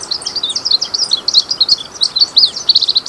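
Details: Glaucous-blue grosbeak, called azulinho, singing a fast, continuous warble of high, thin, slurred chirps and short whistled notes, tightly packed with barely a pause, over a faint, steady background hiss.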